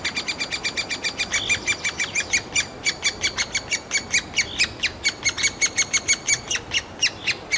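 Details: Nestlings of the three-toed woodpecker squealing inside their nest cavity in a forest park in Yekaterinburg, begging for food: dense run of sharp high squeaks, fast and uneven, several chicks overlapping.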